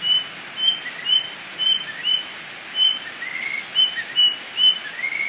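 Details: Tledekan flycatcher singing energetically in the wild in Indonesia: a rapid series of short high whistled notes, about two per second, with occasional lower rising notes mixed in, against steady hiss.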